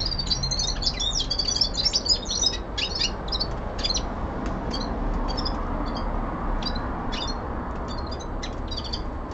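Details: Common linnet, a young male kept indoors, opening with a dense chattering run of high notes, then breaking into spaced single twitters and short trills over a low background hum.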